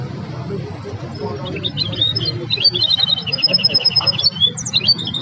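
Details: A goldfinch hybrid, which ranked in a singing contest and is said to have mastered other birds' songs, sings bright, high, rapid twittering phrases with quick trills and sharp chips, growing stronger partway through, over a low murmur of room noise.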